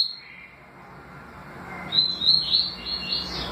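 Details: Double-collared seedeater, papa-capim, from a recording of the tui tui and deputado song styles: after a quiet, hissy start, a burst of high, sharp whistled notes sweeping up and down, quickly repeated in the final second and a half.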